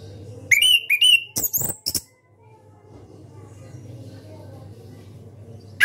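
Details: Orange-headed thrush, a caged national champion singer, gives ngeplong song: two rising whistles followed by loud clicks, then quiet murmuring background, with one more whistle beginning at the very end.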